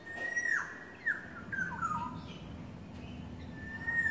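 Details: Courting yellowbird delivering a falling whistled phrase, then a burst of short descending notes, and another level whistle starting near the end.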